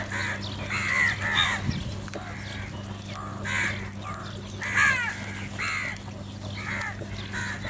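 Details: Crows fighting over food, giving a run of harsh, hoarse caws that come in uneven bursts, some overlapping, over a steady low hum.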